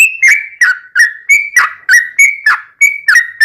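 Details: Continuous ropelan song of a yellow-vented bulbul: about ten loud, clicky-edged whistled notes in quick succession, alternating between slightly higher and lower pitches, with no other sounds.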